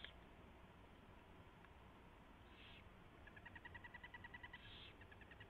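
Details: Owls during a mouse delivery and feeding at the nest, 4:21 AM on 24 February 2016; scattered raspy hisses give way to a quick, regular chittering twitter, about three notes a second, over steady hum.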